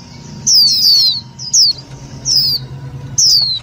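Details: Indian white-eye lure call, loud and clear, used for trapping and for stimulating other white-eyes: four thin, high whistled notes, each sliding sharply downward, spaced about a second apart over a faint low hum.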